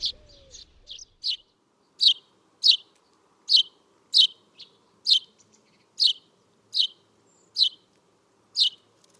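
Eurasian Tree Sparrow giving sharp, high chirps, repeated roughly every half-second to second, with a few softer chatter notes early on; otherwise quiet.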